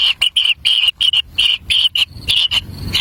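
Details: Wild kingfisher nestlings compete for a black lizard delivered to the nest by a parent; short harsh buzzy notes repeated quickly in an uneven series, each a brief rasping burst.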